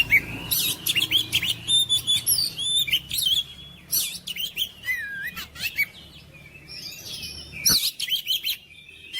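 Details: Oriental magpie-robin singing to spur mute, reluctant birds of its kind into song: lively phrases of whistled slurs and scratchy high notes, some dipping then rising, delivered in quick clustered bursts.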